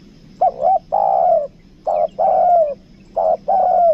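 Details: Lure spotted dove of the 'kuk dua' kind, Lombok, repeating a two-part phrase three times: a short wavering coo then a longer falling coo, about every one and a half seconds.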